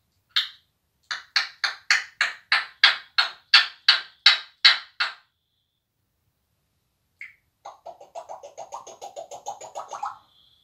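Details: A vocal African grey parrot saying rude words gives a quick run of about a dozen harsh, scratchy bursts, pauses, then rattles off a fast chattering series of raspy, voice-like notes.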